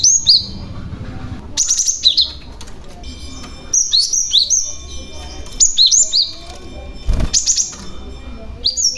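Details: Lure calls of a young Cinereous tit meant to provoke replies from other tits; repeated bursts of high, sharply falling chirps every second or two, with a faint steady tone and low noise underneath.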